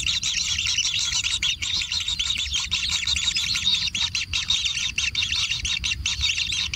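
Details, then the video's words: Kingfisher chicks in a natural nest being fed, giving a dense, continuous chorus of harsh high-pitched begging calls with a steady low rumble underneath. "Anak Tengkek Diberi Makanan Semakin ExTrim - Natural Kingfisher Bird Nest"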